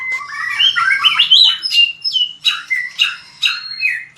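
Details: White-rumped shama fighting song for training: a rich, warbled phrase of whistles, followed by separate sharp notes about every half second.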